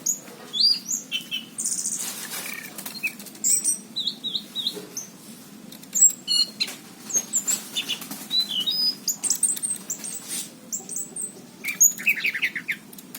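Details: Orange-headed thrush of the anis cendana type singing vigorously, recorded in 2019: a fast, varied stream of high whistles, chips and short trills, broken by sharp clicks and rustling, with brief pauses between bursts.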